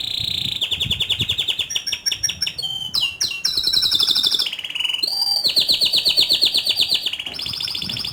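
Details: Canary singing nonstop with rolling ngerol tours and sharp nembak notes: steady trills at shifting pitches, a short run of crisp downslurred whistles around three seconds in, then more long rhythmic rolls.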